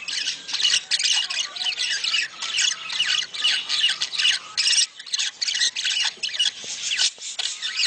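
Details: Budgerigars giving a mating call meant to stimulate breeding: dense, rapid chattering warble of buzzy, scratchy notes and sharp squawks, in bursts with brief pauses, carried high and bright throughout.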